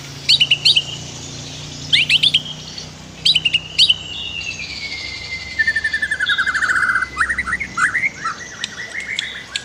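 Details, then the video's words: White-rumped shama master song with river sounds, used for bird training: three short high phrases with rising whistles, then a long descending whistle into a fast buzzy trill and varied chips. "MASTER KICAU MURAI BATU"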